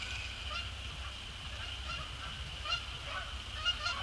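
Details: Evening flight of Canada geese, both resident and migratory, dropping onto Sapsucker Woods Pond after sunset in early December; repeated honks, about one a second, grow louder toward the end above a steady electronic hum.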